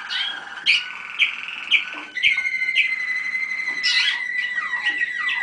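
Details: Malinois Waterslager canaries, youngsters of 2010, at a 25 November 2010 listening session: evenly spaced bright chirps about twice a second, then a sustained clear whistled tour and a burst of bubbling notes with falling glides.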